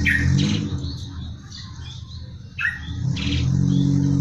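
A tree sparrow gives two brief bursts of sharp chirps about two and a half seconds apart, over a steady low rumble of traffic.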